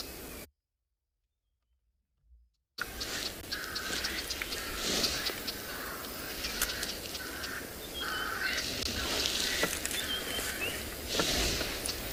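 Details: Red-backed shrike, a non-breeding migrant in a South African game reserve on an afternoon drive, 1 March 2021, gives its common harsh, scratchy chack alarm notes in quick runs, amid other birds and outdoor rustle after a brief silence.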